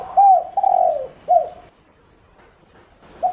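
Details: Spotted dove used as a decoy, giving its lure call to attract other doves: a soft, hoarse coo phrase of three notes, the long middle note sliding downward, then a pause before the next phrase begins.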